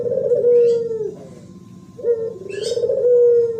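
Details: Spotted dove cooing in the thổ pháp style, used to stir up wild birds, males and females: two long, low, smooth coos, each swelling then falling, separated by a pause, with faint high chirps of other birds.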